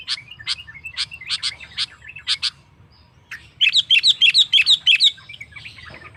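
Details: Sooty-headed bulbul singing to draw rival males into song: short chirps spaced apart, a brief lull, then a fast, even string of bright whistled notes, about three per second.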